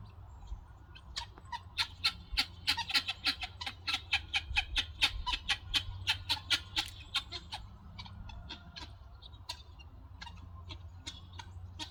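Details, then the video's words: Helmeted guineafowl foraging for food in a yard give harsh, rapid, rattling squawks, with several birds overlapping about four times a second, over a low rumble of background noise. "Those guinea fowls are having a blast making noise in the yard while foraging for food."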